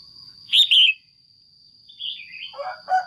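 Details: Caged female red-whiskered bulbul calling to stimulate a male or for pairing: two loud, bright chirping notes, then softer rising and falling notes and a lower warbled pair, over a steady high-pitched whine.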